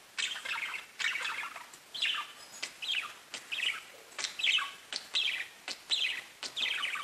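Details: Pet budgies chattering in a cage, giving rapid bright chirps and short falling notes, repeated roughly once a second with uneven spacing; no other sounds stand out.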